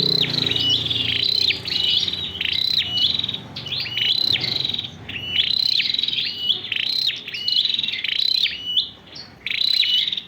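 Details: Kept red-whiskered bulbul, a 'sâu đầu đỏ' bird, delivering cricket-voice ('giọng dế') song: a long run of high, reeling, buzzy trills with quick upward slides, in bursts separated by brief pauses, with a faint low hum underneath.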